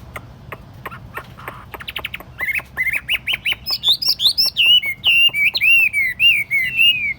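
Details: Hand-carried caged Chinese hwamei on a table begins with spaced dry clicks. These build into a rapid sequence of bright whistled notes that climb, then fall in looping, repeated phrases.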